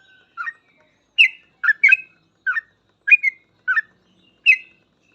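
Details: Sooty-headed bulbul singing vigorously in full ropel style, used as a master recording to teach other bulbuls: short bubbly whistled phrases, each rising and falling, repeated at uneven intervals about every half second, with clean silence between.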